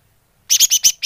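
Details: Greater green leafbird lure call: five loud, harsh buzzy notes in quick succession after a brief silence.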